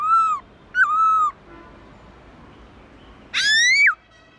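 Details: Black-throated laughingthrush singing in the wild style (giọng rừng): loud, clear, slurred whistles, some rising then dipping, with a pause of about two seconds before a stronger upward-sweeping phrase, over faint background hiss.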